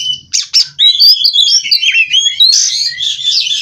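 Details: Captive Oriental magpie-robin (kacer) in continuous 'ngerol' song: two sharp opening chips, then a flowing stream of warbled whistles rising and falling, closing with loud scratchy trills.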